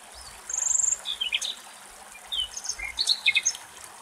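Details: Common nightingale singing among the foliage of an almond tree in Greek countryside; a rapid high rattling trill, then varied whistled and chirping phrases with short pauses, over a faint trickle of water.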